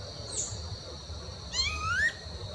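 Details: A Rufous-bellied Thrush in Parque Vivencial 2, Lago Norte, Brasília, on 24 July 2021 gives a single rising, whining note, a call commonly given in late afternoon, over a steady high insect-like hum and after a brief earlier chip.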